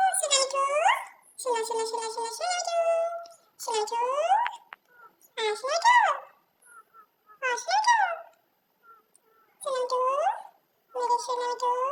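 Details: Pet parrot mimicking speech indoors in a small room: a series of voice-like, strongly harmonic phrases with wavering, rising and falling tones, separated by short pauses, about seven bursts in all.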